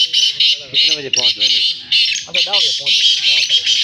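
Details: Fast 'chakri' call of a black francolin (kala teetar) in a green setting: dense series of harsh, buzzy notes repeated about every quarter second, overlaid on low human chatter.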